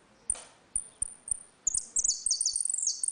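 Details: Saffron finch in the ringing 'retinido' song style during a dispute, used for teaching young birds; sparse sharp high ticks, then a fast burst of clustered descending ringing notes in the final second and a half.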